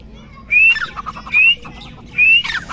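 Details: Chukar giving three rising whistled notes, each ending in a rough, chattering flourish. The notes are spaced about a second apart over faint background noise.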